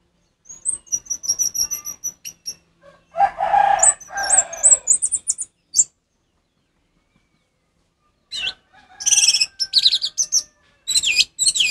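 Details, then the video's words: Ngeplong-style orange-headed thrush song for tutoring captive birds that have stopped singing: high thin whistles and rapid twittering phrases, broken by a harsh noisy burst midway and a long silent pause, then renewed fast warbling. "suara Anis merah ngeplong untuk masteran burung Anis merah macet"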